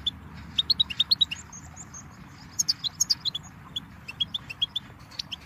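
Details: Goldfinch song of quick, high, clipped notes in bursts, with a brief silvery trill near the top of its range mid-phrase, then more scattered chirps against a soft low rumble.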